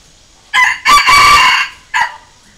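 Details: Red junglefowl crowing as a decoy to provoke wild junglefowl into answering. A brief opening note, a longer harmonic phrase and a short final burst make up one crow, heard against near silence.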